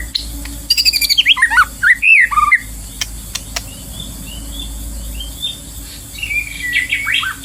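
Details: Short burst of varied, slurred whistles from a wild white-rumped shama at a trapping site, followed by quieter, distant notes and a low, constant hum.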